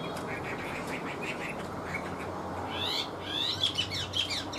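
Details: Chinese hwamei: soft repeated short notes at first, then a louder burst of quick whistled, slurred phrases toward the end, over steady background noise.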